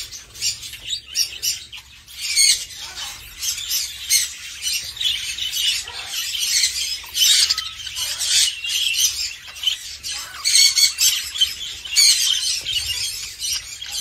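A budgerigar chick gives harsh, raspy begging squawks in rapid bursts as it is fed.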